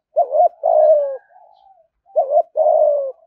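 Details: Spotted dove giving 'thúc gù' cooing meant to draw wild doves quickly to the perch to fight: two low phrases, each a short wavering double note then a long, slightly falling coo, with a faint trailing note between them. Quiet background.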